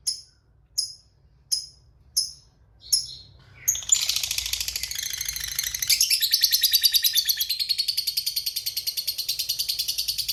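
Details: Fighter lovebird: five separate sharp, high chirps, then a sustained rapid ngekek trill. The trill is a long chattering run of fast pulses that continues to the end. It is meant to provoke quiet lovebirds into replying.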